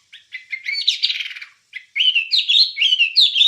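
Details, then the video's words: Wambie song used as a master recording for training songbirds: rapid chattering phrases of high, buzzy notes with trilled runs and quick rising whistles, one brief pause midway, clean with no background sound. "Ocehan Suara Burung Wambie"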